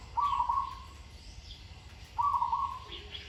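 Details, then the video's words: Zebra dove in continued song training, praised for a sweet voice and good phrasing: two rolling, trilled coo phrases about two seconds apart, each a rapid bubbling burst, with faint chirps from other birds behind. "นกเขาชวาฝึกต่อ เสียงเพราะๆ เดินกลอนดีๆ"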